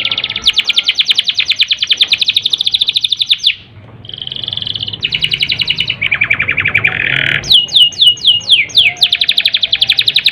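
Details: Canary rolling at length to stimulate canaries lacking drive and breeding urge. Extended rapid trills alternate with a flat buzzy tone and a lower grating roll, then downward swoops and another fast trill.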